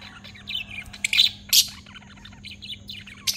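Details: Three lovebirds kept together in one cage, a blue, a Fischer's and a black-masked lovebird: scattered high chirps and short squawks, irregular, with a steady low hum underneath.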